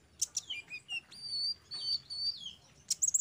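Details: Sunbird song used to train untrained caged birds. A few sharp squeaks lead into long, thin drawn-out whistles with slight rises and falls, ending with further sharp chirps.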